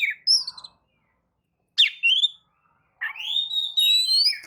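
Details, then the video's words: Oriental magpie-robin singing as a lure to provoke other birds: scattered chirps, a sharp sweeping note with a short trill, then a long rising whistle ending in quick falling notes. "kicau pancingan kacer gacor"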